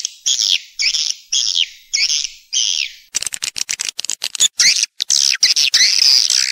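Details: Swiftlet call and roosting sounds, stereo recording: five evenly spaced high buzzy chirps about half a second apart, followed by rapid clicking ticks and then longer, continuous shrill twittering.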